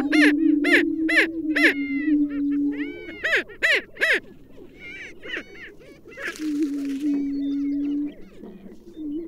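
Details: Greater prairie-chicken: a run of loud sharp cackling notes over a low hoot, then more cackles, a brief noisy burst, and a steady drone with soft whoops.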